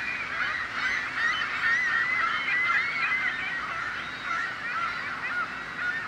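A crowd of gulls keeps up a steady, overlapping chorus of harsh, nasal squeals and mewing cries, with no pause across the whole stretch.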